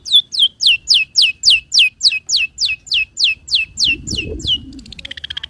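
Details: Long-tailed shrike singing clear, loud song material used to lure and train other birds: a steady series of about fifteen sharp downslurred whistles, roughly three per second, ending in a faint rapid chatter.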